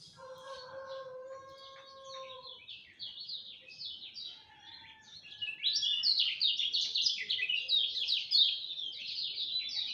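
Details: Lemon-bellied white-eye singing at dawn: a rooster crows first, then a long, rushing stream of high, rapid, slurred twittering notes grows louder and continues steadily.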